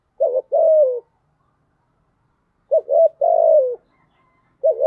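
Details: Spotted dove used as a lure to attract wild doves, giving low soft coos in groups of two or three short notes followed by a longer drawn-out falling coo, phrases repeated about every two and a half seconds in a quiet setting.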